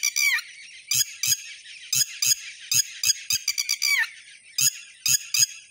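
Red-wattled lapwing giving loud, shrill, piercing calls in quick repeated bursts, several notes every second, with a few longer slurred cries between.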